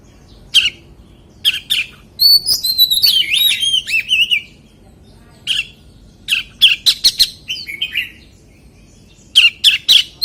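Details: White-rumped shama song in a wild-voice singing style: clipped chirps, then a burst of fluid looping whistles around the two-to-four second mark, and further scattered sharp notes after a pause.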